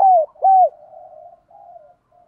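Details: Spotted dove calling to lure a rival. Two strong arched cooing notes, the first sliding down, are followed by a soft, low, drawn-out murmur that fades away.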